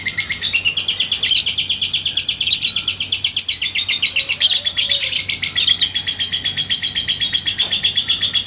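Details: A yellow lovebird in Indonesia, baited by a rival's song, sustains a long ngekek: a fast, even, buzzy high trill of repeated pulses over eight seconds, with a few sharper squeaky accents mixed in.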